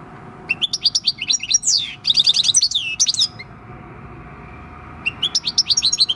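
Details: Six-year-old field-type European goldfinch in song, 26 December 2019: two dense bursts of high jingling twitters, a silent gap of about a second and a half, then another twittering phrase.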